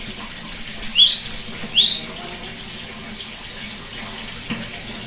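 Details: A cinereous tit's song, used as therapy for a bird gone quiet: a quick run of six notes, high flat whistles with two lower upward sweeps, then silence with faint background noise.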